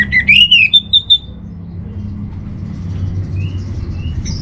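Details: Orange-headed thrush master song used to settle a home bird's emotion and breeding drive: a rising, wavering whistled phrase followed by a few short high notes, then faint distant chirps over low rumble.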